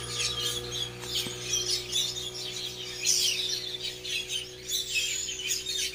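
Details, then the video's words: Birds tweeting: a busy tangle of quick, high chirps and short twittering notes in overlapping bursts, with a steady low electrical hum underneath. "I heard a Bird tweeting"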